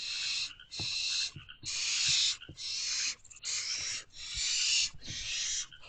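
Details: Barn owl at a nest box at 11:58 pm on 15 May 2023, as the male brings food to his owlets. Harsh, broadband hissing screeches come in long bursts of about half a second to a second, separated by short gaps.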